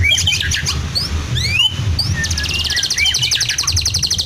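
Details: Caged white-rumped shama of the Medan type, kept in Blora, sings a medley with mimicry of lovebird, canary and cililin: sweeping whistled slurs, then a fast buzzy ladder of high repeated notes, with low rumbling background noise.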